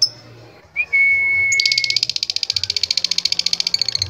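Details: Lovebird of the latah contest type, singing to call rivals. A long pure whistled tone opens, then a fast buzzy trill of rapidly repeated high notes follows to the end over a faint low hum.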